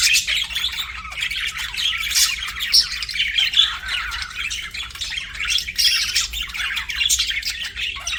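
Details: Budgerigar chirping: a dense, continuous warbling chatter of scratchy squeaks and chirps, with a low steady hum beneath.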